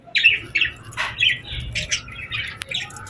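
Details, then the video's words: Birds chirping at sunset on a summer evening: bright, squawky chirps in quick bursts, several calls overlapping with short gaps, over a faint low rumble. "Evening Birds Chirping Sounds Effect | Summer Birds Singing at Sunset"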